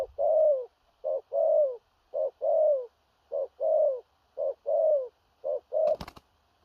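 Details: Spotted dove of big build giving booming thổ rặc calls, gù cà lăm type; evenly spaced double notes, clipped opener and falling drawn coo, ending in a sharp click or knock.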